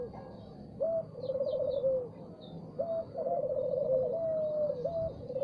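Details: Spotted dove singing in the morning, a short rising note then a long tremulous rolled coo that falls at the end, repeated twice, with a few thin high chirps from other birds.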